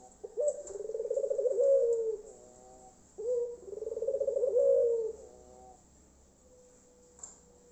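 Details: Tangerin or Iraq Barbary dove in full loud song, meant to set other doves singing: two low, throbbing, rolling coo phrases about three seconds apart, each swelling then tailing off, followed by a faint short note and steady background hiss.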